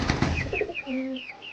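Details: Captive desi domestic pigeons in a coop during feeding, some calling, giving low, soft coos among thin, high, falling chirps from other birds.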